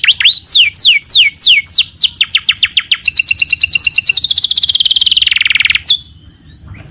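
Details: Energetic canary song: several descending whistled sweeps, then quicker repeated notes merging into a long, dense rolling trill that slowly drops in pitch before stopping abruptly.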